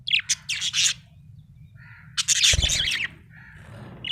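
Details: Happy budgerigar chirping in two bursts of fast, harsh, scratchy warbling separated by a quiet pause with a faint soft chirp, low hum beneath.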